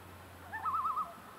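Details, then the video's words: Common loon tremolo after sunset on a lake in the Black Hills, South Dakota: a short wavering, quavering note trembling about five times, heard at a distance over a low steady hum. "Loons tremolo after sunset"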